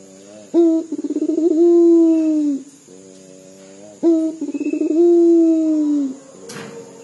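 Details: Local puter dove, said to sound like crying, gives two full coo phrases about three and a half seconds apart. Each opens with a rising note and a rapid tremolo, then settles into a long, steady, slightly falling coo. A faint background whine is heard, with a brief click near the end.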